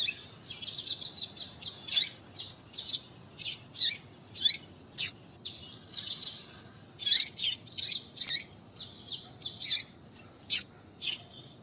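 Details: Excitement calls of a female double-collared seedeater, the papa-capim, meant to make males sing: a long run of quick high chirps and buzzy notes, grouped in short clusters with brief pauses, clear against near silence.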